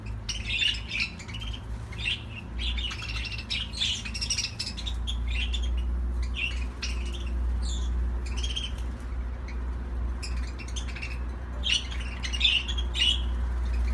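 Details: Chattering warble from a budgerigar: clusters of sharp chirps and grating squeaks, with quieter gaps mid-way, over a continuous deep background hum.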